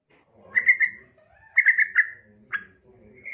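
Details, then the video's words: A female Yellow-vented Bulbul calling to males: short, bright chattering phrases around two kilohertz, three quick bursts in under three seconds, slightly slurred and bubbly. "trucukan BETINA MEMANGGIL JANTAN"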